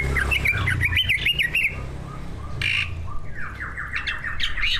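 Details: Prize-winning caged greater green leafbird, one of two, singing mimicry-rich song to provoke other birds: fast zigzag warbling whistles with harsh bursts, a short gap, then a rapid descending series of repeated chirps, low hum behind.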